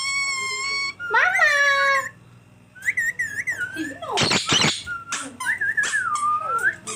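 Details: Pet green ringneck parrot talking indoors: high-pitched, speech-like phrases with rising and falling tones, short whistled notes, and a harsh broadband screech near the middle, with pauses between bursts.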